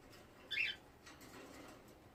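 A cockatiel gives one short, bright chirp against a quiet indoor background.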